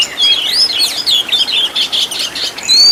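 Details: Master recording of Oriental magpie-robin song with fill-in phrases: a flowing, warbling run of twisting whistles and raspy notes, ending in a clear rising whistle.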